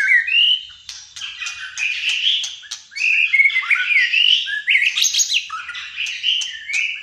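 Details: White-rumped shama, Malaysian type, singing continuously in fighter style: a dense run of bright whistles, quick trills, upward slurs and scratchy notes with hardly a break.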